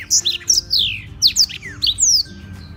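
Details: A captive Black-throated canary in Beng, Gianyar, Bali, kept as a song tutor for other birds, sings a fast run of bright, high whistled notes, mostly sliding downward, about eight phrases in under three seconds, over faint hum.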